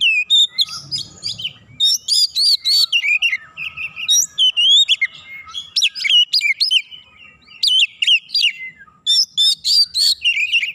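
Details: Oriental magpie-robin answering a rival after a single provocation: nearly continuous loud, fast song of varied whistles, sharp chips and warbled slurs, with only brief breaks.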